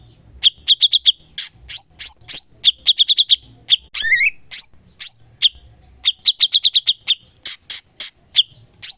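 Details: Cucak cungkok in full song as a training master: runs of four to six fast clipped notes separated by high sliding chirps, with a wavering warbled phrase partway through, in a clear recording.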